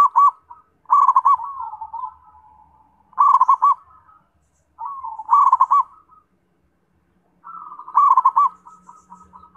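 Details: Zebra dove repeating its song about every two seconds. Each phrase is a slurred, wavering note that breaks into a fast string of staccato coos, with a soft low hum behind.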